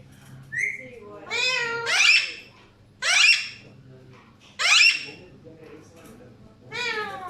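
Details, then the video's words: Indoor Alexandrine parakeets give a run of harsh, raspy squawks about every one to two seconds, mixed with wavering harmonic notes and a brief higher chirp at the start. "Alexander parrots making beautiful sounds."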